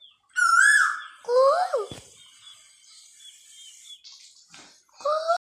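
Asian koel giving loud, rising, fluty notes in a few separate bursts with pauses between, over faint background hiss.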